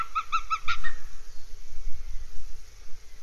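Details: Northern goshawk at a nest in Abernethy Forest, Scotland, 3 July 2022: a brief burst of four or five sharp, nasal kek notes in quick succession, followed by faint rumble and a thin high whistle.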